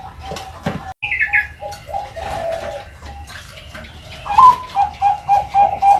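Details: Young Bangkok-line zebra dove: after rustling and a brief higher chirping note, a series of short, even, hollow coos starts up and repeats at a quick, steady pace.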